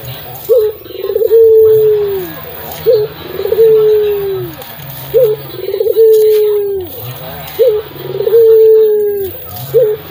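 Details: Local Barbary dove with a strong, deep, very melodious voice, used as a lure to make silent doves sing. It gives repeated cooing phrases: a short clipped note, then a long drawn-out coo that slides downward, recurring about every two and a half seconds.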